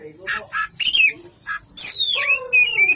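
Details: Oriental magpie-robin, a champion bird known for dense singing, gives short harsh chattering notes followed by a long descending whistled phrase layered with lower, more nasal tones and a sustained high thin whistle at the end.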